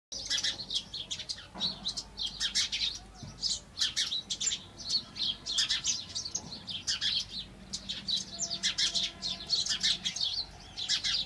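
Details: House sparrows chirping steadily, a dense stream of short, bright, high chirps overlapping one another with hardly a pause across the whole stretch.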